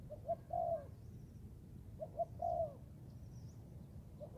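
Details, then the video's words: Young Thai-type spotted dove practising in the forest gives repeated coo phrases: a pair of brief notes followed by a drawn-out, slightly falling coo, two full phrases with a steady low hum behind. "cu gáy 78 ( clip 52 ) thái tơ đag tập rừng"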